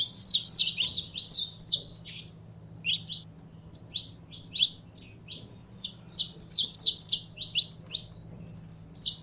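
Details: Caged saffron finch, stirred up by handling to sing. A dense opening burst of high chirps gives way to scattered notes, then builds again into fast, twittering runs, over a faint steady low hum.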